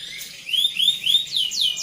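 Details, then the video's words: Canary singing in the rolling 'ngeroll' style used for training other birds: a string of high, rising whistled notes that grow louder and turn into sweeping downslurs near the end. "Suara Burung Kenari Ngeroll Cocok untuk Masteran"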